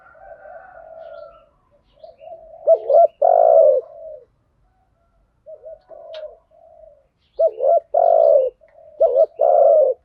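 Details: Lure recording of spotted doves, male and female, in "thúc gù" and "gáy gọi" styles: low murmuring notes build to loud paired coos with a long resonant coo, repeated after a pause.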